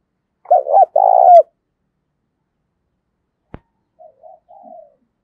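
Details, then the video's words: Decoy spotted dove cooing daily to lure and provoke wild doves, in the thổ voice style: two loud, low rolling coos close together, then a long silence and a few faint, softer coos. "Tiếng Chim Cu Mồi Gáy Đấu Dục Bổi Và Mồi Ức Chế Hót Theo Hàng Ngày"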